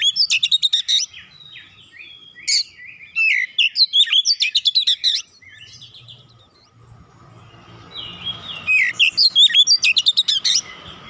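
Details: Energetic Oriental magpie-robin singing as a lure to restart a quiet bird. Rapid, rhythmic bursts of loud whistles and chips are separated by softer scratchy passages. A faint low hum sits in the background during the pause.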